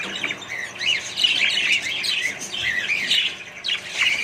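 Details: Australian budgies in a colony with more birds produce rapid rising and falling chirps and chattering warbles, a lively overlapping flock sound lasting the whole stretch.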